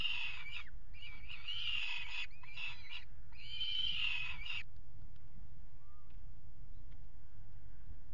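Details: Peregrine falcon pair at a water-tower nest box in Axel, Netherlands, 5 February 2018, mating on the ledge; four grating wails over about four seconds, then quiet apart from low background hum.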